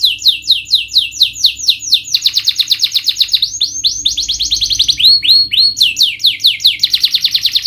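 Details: Canary singing as a lure for lazy, stressed birds: rapid series of downward-sweeping whistled notes in changing tours, several seconds of continuous loud rolling song.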